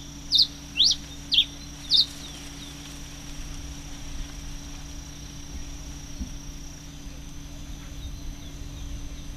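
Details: Red-crested finch (Coryphospingus cucullatus), recorded 22 October 2008, gives four sharp, high chips about half a second apart, then falls quiet over a steady low hum and a faint high drone.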